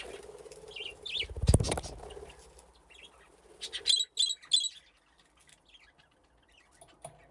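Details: Budgerigars playing in an aviary with nesting boxes: a low thump, then a quick run of bright, harsh warbled chirps with strong overtones, then near quiet with a faint later chirp.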